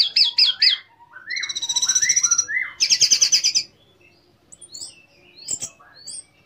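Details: Orange-headed thrush singing a varied song used to provoke other orange-headed thrushes into singing: quick high whistled notes, rising slurred phrases, then rapid buzzy trilled bursts, followed by scattered thin high notes.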